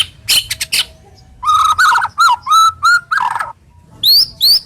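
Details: White-rumped shama in rough, sharp lure song for silent shamas: a few sharp chips, a run of fluty whistled notes at steady pitch, then two high rising sweeps.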